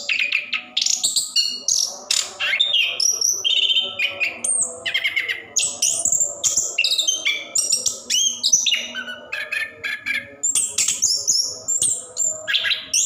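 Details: Orange-headed thrush, a caged bird, singing a long continuous ngerol song used to prompt reluctant caged birds to sing: rapid varied whistled and buzzy phrases jumping between high and mid pitch, with mimicked notes, almost no pauses.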